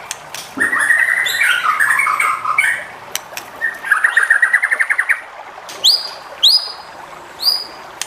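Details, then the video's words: White-rumped shama song to provoke rivals into singing: a chattering, rattling phrase, then a fast series of repeated rising notes, followed by sharp upward-sweeping whistles spaced about half a second apart. "MURAI BATU JENIS APAPUN PASTI NYAUT EMOSI DAN GAK BISU LAGI DENGAN SUARA MURAI BATU INI"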